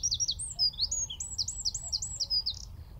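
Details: High, rapid wren song from a tree at Wicken Fen, shotgun mic at roughly 15 m: a tumbling series of bright sweeping whistled notes, loud and clear, with quiet low background noise.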